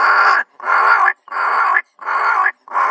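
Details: Two wild ravens making noise in Kgalagadi Transfrontier Park, heard as five loud, harsh, hoarse caws, each about half a second long, given in steady succession with brief gaps.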